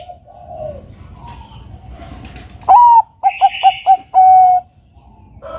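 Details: Bangkok-type zebra dove, its song used to provoke a rival into singing: one clear phrase of a rising lead note, four rapid bouncing coos and a long level final note over quiet background.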